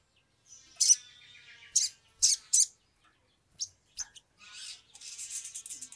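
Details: Agitated Sumatran leafbird (sogon) singing as a lure to prompt birds to sing: a string of loud, high sharp notes and squeaks, ending in a continuous buzzy, chattering trill.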